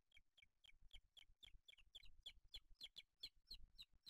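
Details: Booted eagles at their nest with chicks, Spain, 8 July 2023: quick repeated high, slightly downslurred squeaky notes, nearly four per second, over soft low background rumble.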